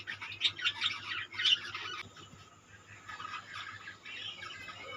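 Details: A budgerigar colony gives loud squawky chirps in a rapid cluster at the start, then softer, continuous high warbling chatter, with a faint low hum underneath.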